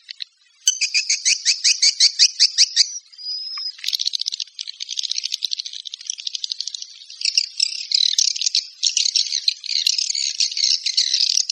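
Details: A swiftlet calling sound used to attract swiftlets: fast, buzzy, high-pitched chattering trills run together almost without pause, with one brief pure whistled note partway through.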